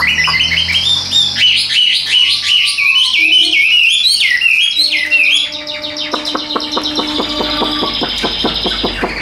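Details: Hand-carried tame Chinese hwamei in a cage in Vietnam, in steady voice: a dense run of high, looping whistles and trills, then a stretch of quick, clipped repeated notes under fainter tonal background sounds.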